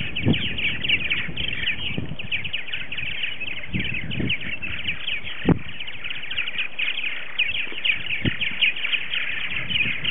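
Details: Dozens of purple martins, about 60 to 70 adults after-second-year, chatter in a morning social at a backyard gourd colony on February 28, 2018, early in the season; dense overlapping gurgling chirps, broken by thumping wind gusts.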